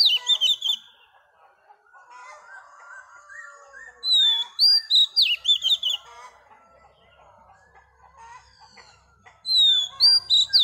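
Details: Female Oriental magpie-robin, wild-caught, singing to rouse males: bursts of loud, bright, high whistles with quick slides and trills, separated by a stretch of softer, lower warbled chatter.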